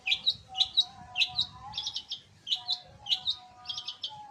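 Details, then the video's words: Long-tailed shrike (penten), said to sing vigorously day and night; quick bursts of high chirpy, slurred notes in short clusters, about two per second, over a faint steady low hum and soft rustling. "Penten gacorr siang malam!!"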